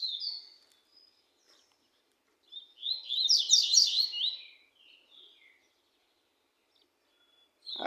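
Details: Double-collared seedeater singing a fast, jumbled burst of high twittering notes for about two seconds, preceded and followed by short isolated whistled chips, with a brief low thump at the end.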